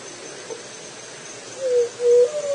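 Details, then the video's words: Juriti dove coo arriving after a quiet start: three low notes, falling then steady then level, the last note running to the end, over soft background hiss. "O Canto da juriti"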